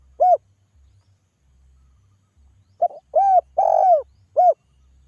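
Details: Spotted dove giving a call meant to make other doves answer. A single soft coo is followed by a pause, then a cluster of four arched, mellow coos. The background is quiet apart from a low hum.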